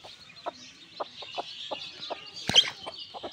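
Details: Newborn backyard chicks keep up a constant, high-pitched peeping chorus, while low, soft clucks sound about every half second beneath it.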